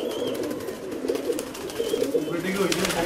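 Pigeons coo with low, soft, rolling murmurs that run almost without a break, heard close up in a small enclosed space with a few faint higher chirps.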